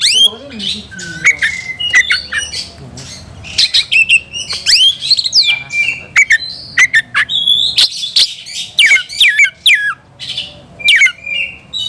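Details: Agitated white-rumped shama seeking a rival pours out a long, fast medley of sharp whistles, rising and falling slurs and harsh squawky notes, almost continuous and loud.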